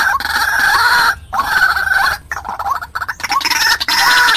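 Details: Decoy call of a white-breasted waterhen meant to lure wild birds: loud, nasal, bugling notes with small upward flicks, given in two or three quick bursts separated by short pauses.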